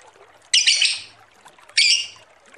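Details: Two loud, raspy, high-pitched squawks from a lovebird, each about half a second long, with a pause between them, in a recording meant as a lure.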